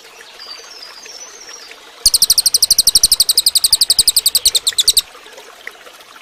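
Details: Training song of a cililin for other birds. Faint thin whistles precede a loud three-second run of quick, high, sharply repeated chirps, followed by quiet.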